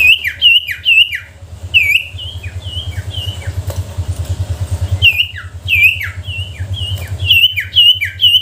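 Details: Sooty-headed bulbul lure song for provoking quiet bulbuls to sing: bright, bubbly whistled phrases of short rising and falling notes in quick bursts, pausing mid-clip, over a steady low engine hum.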